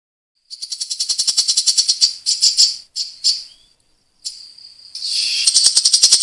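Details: Grey-cheeked bulbul's coarse, fast-firing song of rapid dense bursts, the style called tembakan rapat besetan kasar. Loud buzzy pulses run in quick rattling trains with brief pauses, then resume.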